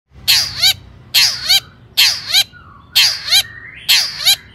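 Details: Long-tailed shrike in lively song, used as a lure to make other shrikes sing: five loud paired phrases, each a harsh high burst followed by curved whistled notes, repeated roughly once a second.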